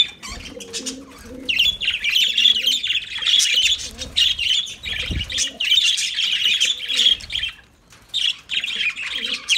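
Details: A flock of lovebirds gives a continuous, shrill chatter of high chirps lasting several seconds, briefly dropping out before resuming.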